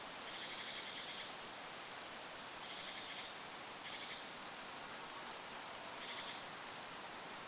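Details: Goldcrest calling in a forest above a lake: thin, very high-pitched notes strung into short runs and bursts, repeated throughout, over a steady wash of wind noise.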